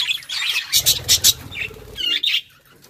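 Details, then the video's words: Budgerigars chirping: a run of short, bright squawky notes bunched together around the middle, a low rumble underneath, then two sharper chirps near the end before it fades quiet. "Budgies sounds to make them happy | Parakeet Chirping"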